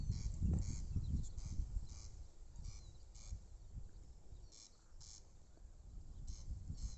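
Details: Corncrake calling at a campsite within the Balranald reserve on North Uist, Outer Hebrides, where it is a summer visitor heard more than seen; harsh rasping double notes repeat about twice a second over heavy low wind rumble.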